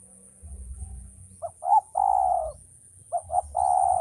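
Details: Male spotted dove calling twice. Each phrase is a couple of brief rising notes followed by a long, level, soft coo over a low rumble.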